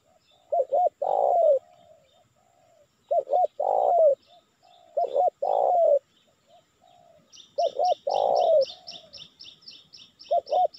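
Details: Spotted dove lure call for attracting wild birds, four steady phrases of paired short coos and a long downward coo. Near the end another bird gives a rapid series of high, sharp chirps.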